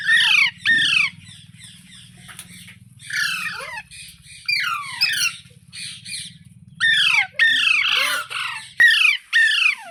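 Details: Green parrot chattering and squawking: repeated hoarse, falling notes in irregular clusters, some loud and piercing, over a steady low electrical hum throughout.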